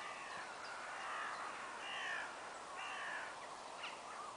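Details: Crows cawing loudly in the evening as the sun sets, in the grounds of Leigh Manor near Bristol: several drawn-out harsh caws spaced about a second apart, rather distant, with steady background hiss.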